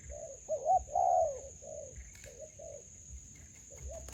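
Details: Spotted dove cooing at a melaleuca grove trapping site with a decoy: a few low, mellow coo notes, one drawn out and wavering, then quieter short coos, with a constant shrill insect drone behind.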